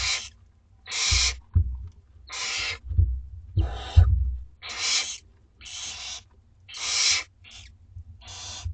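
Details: Begging Barn Owl chicks, aged two weeks, at a school garden nest during feeding: a steady run of about nine harsh hissing screeches, each around half a second, with bumps and scraping below.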